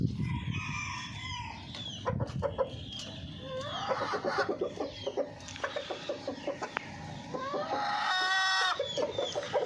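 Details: Golden Misri chickens clucking in quick repeated harmonic pulses, with rising squawks and a longer loud call near the end, small birds chirping behind.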